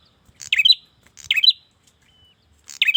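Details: Bar-winged prinia male calls to a female with three quick chirped phrases, each a tight cluster of sharp high notes trailing into a thin buzz, about one per second; faint low rustling beneath.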